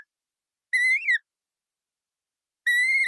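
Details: Colourful parrot giving two loud, harsh, harmonic squawks, the first rising then falling, the second held level, separated by about two seconds of silence; no other sounds.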